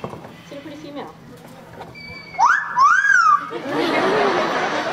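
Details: Fernando, a male Yellow-naped Amazon at African Lion Safari on May 17, 2009, gives a loud two-part whistle, rising then swooping, after a moment of speech; the whistle is his cue when he spots a pretty female Amazon.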